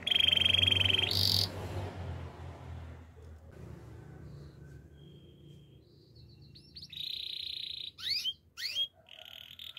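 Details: Canary song under a low rumbling background noise, which fades to near quiet before bright trilled tours and sharp downslurred notes sound near the end.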